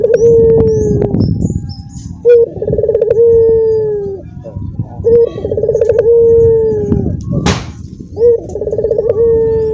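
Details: Barbary doves kept together in one cage, one giving the dorongan coo while cage-mates join in. The rolling pulsed coos with long drawn-out falling tails repeat and overlap, with a brief sharp knock midway.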